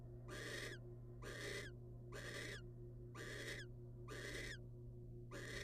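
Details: Barn owls, wild, as the male delivers a rodent to his mate; a run of six rasping, noisy screeches, each under half a second, spaced about a second apart, with constant low-pitched hum behind.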